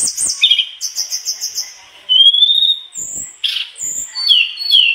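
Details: Mangrove blue flycatcher singing vigorously and showing off its copied phrases: clear high whistles, some sliding and some held, with short rapid chattering notes between them.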